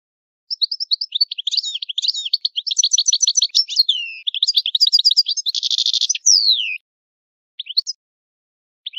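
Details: A long phrase of Italian goldfinch old-style song: tumbling high twitters and chattering notes build to a harsh buzzy burst, then a falling whistle, followed by a pause and a few isolated chirps.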